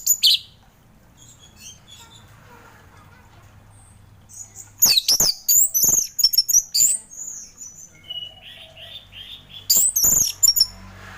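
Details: Relaxed ngeplong song of an orange-headed thrush, meant as morning therapy for thrushes slow to sing. A brief opening note, quiet stretch, then dense high twittering and sharp trills in two bursts over faint low background hum.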